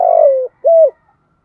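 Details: Spotted dove 'thúc gù' calling to attract wild doves: a long burry coo sliding down in pitch, then a short pure, level coo with a slight rise and fall.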